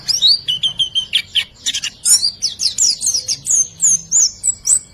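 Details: Riwikan-style white-eye song with full fill, meant to prompt silent birds to sing: twittering opening, a run of level piping notes, then dense high warbled trills.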